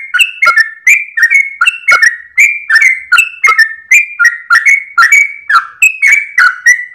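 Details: Early-morning trucukan (yellow-vented bulbul) song in the long 'ropel' style with tail-wagging: lively whistled notes in close succession, some paired high and low, each with a crisp attack.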